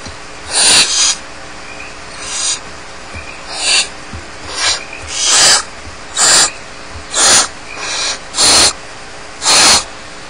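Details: Barn owl chicks alone at home at Starr Ranch keep up about ten overlapping raspy hisses at an irregular rate of roughly one per second. Some bursts are doubled, suggesting several chicks calling.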